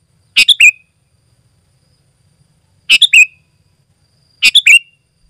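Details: Sooty-headed bulbul, used as a call to wild bulbuls and a song tutor: three identical short, bubbly phrases ending in a downslurred whistle, repeated about every two and a half seconds in silence.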